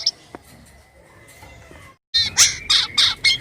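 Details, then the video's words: White-vented myna giving strange sounds: after two seconds of near silence with a faint steady tone, a run of five loud, harsh, noisy bursts, each roughly a quarter second long. "burung jalak kapas gacor suara aneh"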